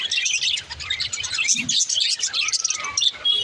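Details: Rapid, squeaky twittering from budgerigars, a busy stream of chirps and warbled notes, with one brief low thud midway.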